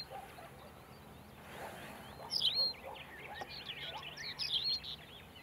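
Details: Tawny pipit (Anthus campestris) call: two short, bright, sparrow-like chirps about two seconds apart, over busy softer twittering from other birds.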